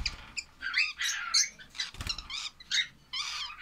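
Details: Lovebird chicks giving harsh, raspy calls in short bursts, some rising and falling, separated by brief pauses, with a soft thump midway.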